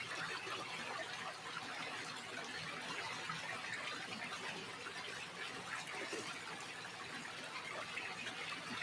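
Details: Steady broadband rushing like running or splashing water fills the whole recording, with no animal calls standing out.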